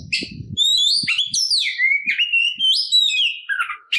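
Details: Oriental magpie-robin in a fighting song that provokes other birds: sweet slurred whistles sliding down and up, strung into a fluid phrase, with faint low thumps at the start.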